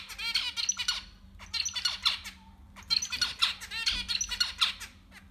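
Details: Six zebra finch nestlings in a breeding nest give three loud bursts of raspy, squawking chatter, each burst about a second long and separated by short pauses.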